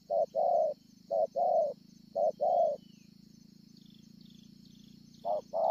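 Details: Wild-caught scar-chested spotted dove at Ngọc Hồi on 25 March 2020. It gives three paired coos, each a short note followed by a longer mellow one, about a second apart, with a pause before a fourth pair. A steady high insect-like hiss and a low hum run throughout.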